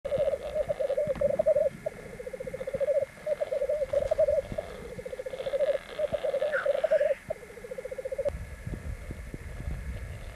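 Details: Three black grouse x capercaillie hybrids (rackelhahn) fighting on a black grouse lek, 1 May 1994, Landvik, Grimstad, Norway: rapid bubbling, pulsed phrases, each a second or so long, repeated with short gaps, plus a brief higher hiss.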